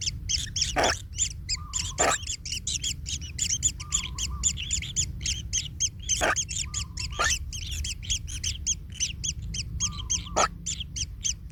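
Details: Kingfisher chick in its nest, trampled by its parent and in pain: rapid rough arched notes repeated several times a second, broken by sharp broadband clicks and short low steady tones.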